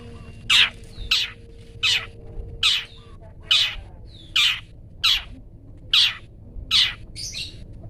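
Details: Long-tailed shrike uttering "toet toet" notes for songbird tutoring; loud harsh rasping calls repeated roughly every second in a steady series, with a faint steady tone in the background early on.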